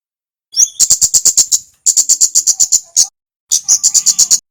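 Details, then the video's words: Singing male Javanese flowerpecker, used as tutor audio for other small birds: three bursts of rapid, evenly spaced, very high metallic ticks, each burst opening with a brief rising note, separated by short pauses. "suara kemade gacor"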